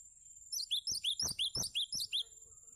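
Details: Song of a cinereous tit meant for tutoring other birds: around nine sharp, high doubled notes repeated evenly at roughly four per second, each with an upward flick and a falling tail, over a faint constant high whine.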